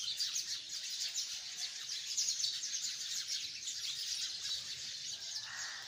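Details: Hundreds of sparrows chirping together in a tree: a dense, continuous chorus of high, bright chirps and tweets overlapping without pause, with no other clear sounds.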